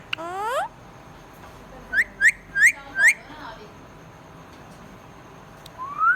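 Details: Pet budgerigar giving a rising harmonic-rich call, then a run of four quick upswept whistled chirps in about one second, and a final rising whistle after a pause; quiet indoor background.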